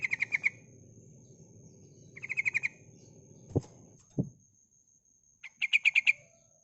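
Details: Female yellow-vented bulbul calls, used to provoke reluctant bulbuls into singing: three bursts of quick, bubbly chattering notes, about five per burst, over a steady high whine, with two dull thumps between.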